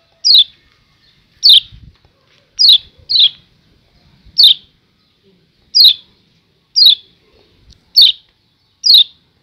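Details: Kecial kuning, the Lombok yellow white-eye, repeating its 'ciak ciak' call: about nine short, high, downward-slurred chirps roughly one per second, one coming as a quick double, over faint low thumps.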